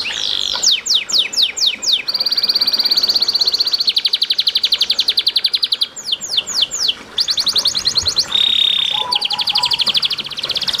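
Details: Masteran-style canary song with running water, meant to prompt other canaries to sing: varied phrases of falling whistled sweeps, long rapid rolls, a pure sustained whistle and short low chips.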